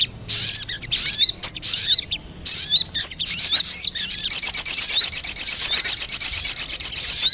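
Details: Bird-luring recording of sogon (sunbird): short bursts of high chirping notes, then a sustained fast buzzy trill of evenly repeated notes for the final three seconds.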